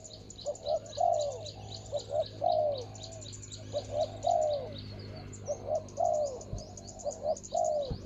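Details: Ground-decoy spotted dove luring a rival bird: about six mellow cooing phrases, each short paired notes leading into a longer falling coo, steadily repeated over eight seconds beneath continuous faint high chirps and twitters of small birds.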